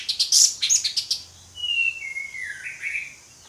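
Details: Orange-headed thrush in ngeplong song: a fast series of sharp, high chips about every tenth of a second, a brief pause, then a long, sweet whistled phrase that slides lower and ends with a short rising flourish.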